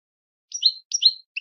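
A goldfinch gives bright, twittering phrases, each a quick liquid jumble lasting about a third of a second, repeated with short pauses against a quiet background.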